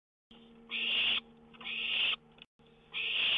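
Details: Owl at a lookout on a live nest camera, 1:06 a.m., May 19, 2013, a songbird nearby; three harsh, breathy hissing bursts, each about half a second, rising in loudness, over a steady low hum.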